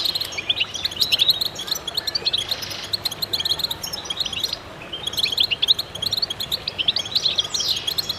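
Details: Goldfinches singing together to stimulate birds, dense bouts of high twittering and trilling chirps broken by short quieter gaps, one rising slurred note near the end.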